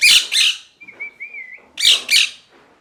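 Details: Two loud raspy parrot squawks, then a thin, steady whistled tone lasting under a second, then two more harsh squawks.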